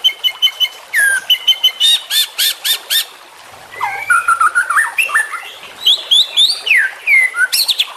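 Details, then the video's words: Juvenile white-rumped shama, recorded as a tutor song for training birds: a train of ringing repeated notes, a brief pause, then fluid slurred whistles, rising sweeps and scratchy chatter. "MASTERAN Trotolan Murai Juara Supaya Cepat Rajin Bunyi & Gacor"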